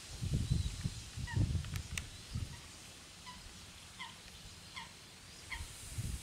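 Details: Eurasian coot at the Tablas de Daimiel and Villarrubia wetlands of La Mancha, Spain, giving short, clipped, slightly nasal notes at irregular intervals of about a second, over heavy low rumbling wind or handling noise.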